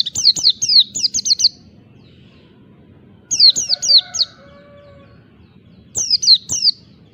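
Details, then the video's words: Oriental white-eye singing the wild ngalas song to stir up rivals: three separate bursts of high, sharply dropping chirps, five to six notes each, spaced by pauses, with a faint steady whistle between. "Pleci Ngalas Cari Lawan, Awas!!! pleci anda Emosi Bongkar Isian"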